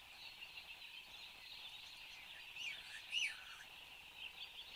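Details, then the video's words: Satin bowerbird at its bower in Australia, 10 January 2015 at 8:02 am, filmed by a bower camera: a faint, thin downslurred whistle and soft buzzy chatter rise briefly over a steady, dense high hiss of background insects. "Satin Bowerbird"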